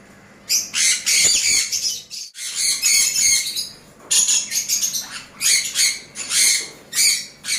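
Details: An adult breeding pair of yellow sun conures gives loud, harsh, shrill screeches in repeated bursts.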